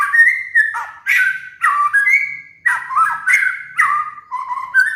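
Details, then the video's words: Murai batu (white-rumped shama) master song for moulting cage birds: a dense, continuous stream of rich, varied whistled phrases with quick swoops and slurred notes, barely pausing. "PANCINGAN MURAI BATU | MASTERAN BURUNG MABUNG"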